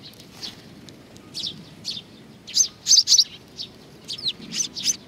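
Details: Sparrows coming to be fed at Tenmangu shrine, Nakanoshima, on 21 June 2020: scattered short high chirps in loose bursts, several close together near the middle, over a quiet low background.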